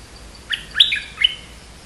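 Streak-eared Bulbul giving three short, bright, slurred chirps in under a second, each dipping then rising, against a quiet background.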